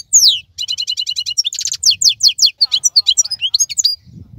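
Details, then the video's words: European goldfinch, wild type, singing in moulting season when other birds are silent: a descending slur, then rapid stuttering trills, a buzzy rasp and a lively string of twittered notes over faint low hum. "تغريد افضل من كل تغاريد طائر الحسون الخلوي"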